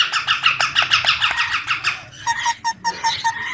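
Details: Young ringneck parakeet repeating harsh, rasping squawks about three times per second, then shifting to shorter, clearer, evenly spaced chirping notes over a low steady hum.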